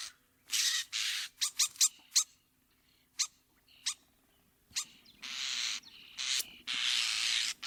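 Common starling song: a jumble of harsh, hissing bursts, rattles and sharp clicks, uneven in pace with short pauses between phrases.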